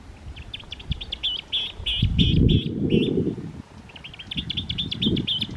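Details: Clark's or western grebe on San Francisco Bay giving fast, repeated raspy grating notes in two runs, over loud low rumble of water and wind.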